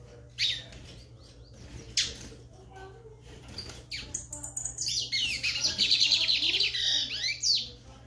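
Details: A lined seedeater gives scattered sharp notes, then launches into a vigorous, rapid twittering song of high trills and slurs lasting about three seconds, over a steady low hum.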